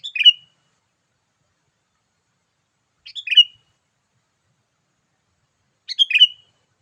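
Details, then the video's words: Sooty-headed bulbul lure call for attracting wild bulbuls, delivered in an energetic 'gacor' manner. Three short chattering phrases of fast, slightly buzzy notes repeat about every three seconds against a silent background. "memikat burung kutilang dengan suarany yang gacor"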